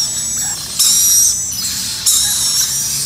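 A black-capped lory gives two shrill, grating screeches, each lasting under a second, over a steady high-pitched hiss.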